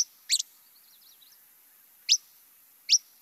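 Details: A Least Flycatcher (Empidonax minimus) gives its whit call: three sharp, high, upslurred whit notes, the last two nearly a second apart, with a faint thin twittering in the background.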